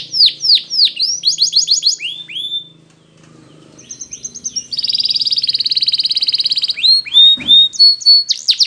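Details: Belgian canary song used for training canaries: bright descending whistled sweeps, a pause with faint low hum, then a long rapid buzzy high trill and more falling whistles, loud and close.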